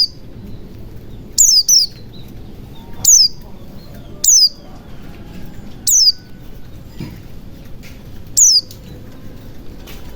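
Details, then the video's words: High descending whistles of a white-eye, used to encourage reluctant birds to sing, sounding roughly every one to two seconds, some doubled, against quiet low noise. "pancingan pleci macet bunyi agar cepat gacor"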